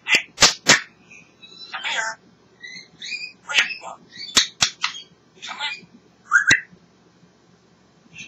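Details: African grey parrot kept as a pet, chattering happily inside: loud popping clicks, then a quick jumble of chirps, short whistles and squawky voice-like syllables, with more clicks scattered throughout.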